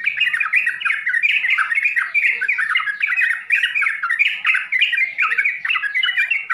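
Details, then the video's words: Yellow-vented bulbul (trucukan) singing a 'full isian' (full content) song: dense, bubbly, warbled phrases of quick rising and falling notes, tumbling on without pause. The notes blur together, as if from more than one bird. "SUARA TRUCUKAN FULL ISIAN"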